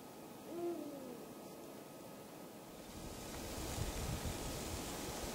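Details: Eurasian eagle-owl, a calling male at dusk, Falkenberg, Halland, 2 March 2010; one low, booming hoot early on, followed by a rising rush of wind-like noise for the remaining seconds.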